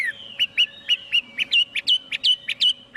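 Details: Chinese hwamei giving short, bright whistled notes repeated roughly three times a second over a faint steady tone. No background noise.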